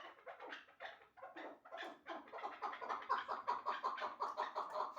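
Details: Kept chukar partridge, one of a pair that includes a hybrid bird, giving a rhythmic series of low, harsh chuck notes that quicken and grow louder toward the end, indoors with no other clear sounds.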